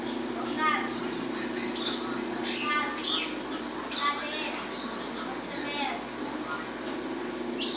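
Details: Peruvian saffron finch, estalando song: clusters of sharp high chirps and brief trilled notes, coming in uneven bursts roughly every second, with a steady low hum underneath.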